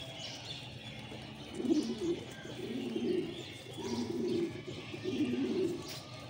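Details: Many pigeons gathered together, one giving deep, throaty rolling coos: four drawn-out phrases roughly a second apart, each rising and falling, over a faint background murmur.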